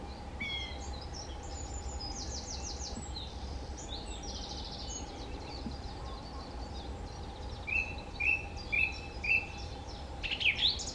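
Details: Song thrush at Rieux delivering a short clear note repeated four times in quick succession, after softer high twittering, over a steady hum and low rumble.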